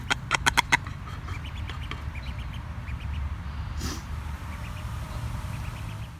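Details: Captive female mallard with a deformed foot, foster mother at a Cape Cod wildlife rehabilitation centre, June 2019, greeting a duckling at reunion: four quick harsh chirps, then thin high peeps answering every half second over low rumble.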